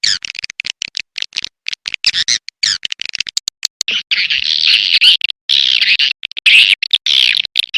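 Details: Edible-nest swiftlet calling track known as A Leyung, meant to attract swiftlets: rapid high chirps at first, then a denser continuous twittering chatter with short pauses.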